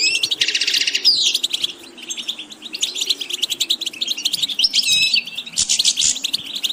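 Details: Goldfinch song from a tutoring recording for beginners: opens with a harsh buzzy trill, then runs of tinkling twitters and sharp liquid notes in quick phrases, with a faint low hum in the background.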